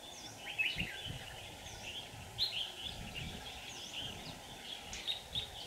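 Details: Red-whiskered bulbul used as a decoy for trapping wild birds, on a day of shifting wind, 5 December 2018; short chirpy whistled notes, some sliding down, repeated irregularly and overlapping as if several birds call, over steady low background noise.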